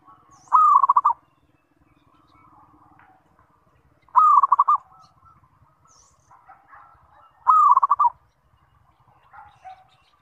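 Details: Zebra dove giving its lure call to get other zebra doves answering: three low cooing phrases roughly every three and a half seconds, each a short held note dissolving into fast pulses, with faint chirps in the gaps.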